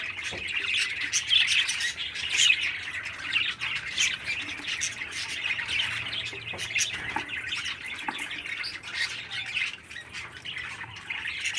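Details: A 13-day-old captive baby parakeet calls nonstop with coarse, rasping squawks, roughly one a second and unevenly spaced, with a low background hum throughout.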